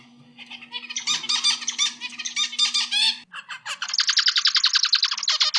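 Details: Zebra finch (Taeniopygia guttata) song: a fast run of buzzy, nasal, stacked notes over a faint steady hum; a master song recording for training birds.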